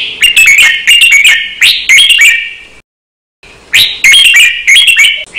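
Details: Cage-bird training recording of a red-whiskered bulbul's counted-phrase song, doubled and fast: rapid strings of bright, warbling whistles with clicks, a short silent break midway.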